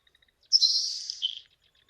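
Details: A marsh-dwelling Nelson's Sparrow gives a few faint ticks, then its short-carrying song: a high, hissing sizzle like bacon in a hot pan, about a second long, ending in a short lower note.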